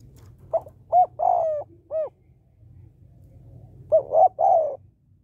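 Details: Female spotted dove calling to rouse males. Short soft hoots lead into a clipped pair and a drawn-out descending coo, repeated twice over a low background rumble.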